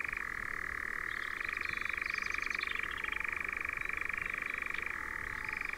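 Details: European nightjars at Ringwood Forest close to Verwood, Dorset: a sustained, throbbing churr with a slight pitch step near five seconds, joined midway by a brief burst of higher, fluttering chirps.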